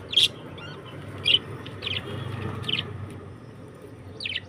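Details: Sparse, sharp chirps from budgies, about one a second with uneven gaps, high and brief, set against a soft steady background hum.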